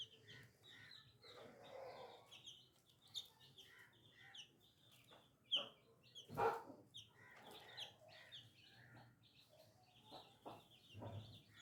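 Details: Chicken chicks peeping in irregular clusters of high chirps, broken by several loud thumps and knocks, over a quiet background.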